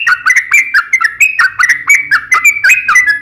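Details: Yellow-vented bulbul fighting song meant to lure other bulbuls into singing: brisk, slurred, bubbly whistled notes repeated quickly and continuously, with a faint low rumble underneath.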